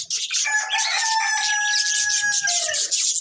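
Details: Breeding pair of budgerigars chirping: dense, high, scratchy warbling chatter with a thin whistled note sliding slowly downward through the middle.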